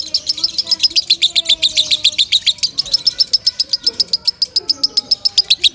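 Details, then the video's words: Lovebird giving a loud song meant for training other birds. A quick, even stream of piercing high chirps, roughly four per second, runs throughout with soft background tones. "Suara Kencang Lovebird"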